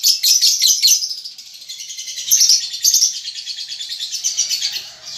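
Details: Juvenile lovebird under five months learning ngekek chatter: nearly continuous high, buzzy twittering with rapid ticking pulses, swelling in two louder stretches.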